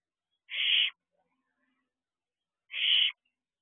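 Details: Owlet in a barn owl nest box, evening of 16 June 2022, making two loud screechy hisses, each about half a second long and roughly two seconds apart, with silence in between.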